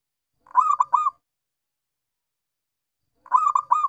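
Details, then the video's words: Local-type zebra dove (perkutut) singing actively: two clean cooing phrases about three seconds apart, each a quick run of three rolling, harmonic-rich coos at mid pitch, with silence between. "Perkutut Lokal Bungkak/gacor"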